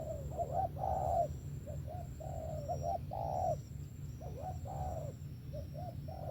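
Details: Spotted dove cooing in quick succession, paired hooked notes followed by fuller, longer coos that swell and fade, over a steady low hum.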